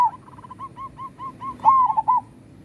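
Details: Local zebra dove singing strongly. Quiet, quickly repeated soft notes build into a louder phrase of rising and falling coos, over a low steady background hum.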